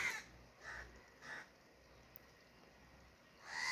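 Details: Crow giving two short hoarse caws about half a second apart, a pause, then a louder caw at the end.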